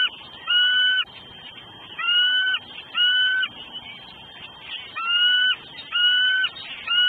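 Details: Female bald eagle at a nest on a Southwest Florida eagle cam, 9 December 2012 at 3:56 PM, hollering before the male brings food. Clear, steady, slightly bent tones, each about half a second, repeated roughly every second with short gaps.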